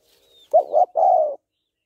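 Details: One short phrase from a female spotted dove calling to stimulate males: two quick husky coos followed by a longer, steady, drawn-out coo, with a faint thin whistle just before.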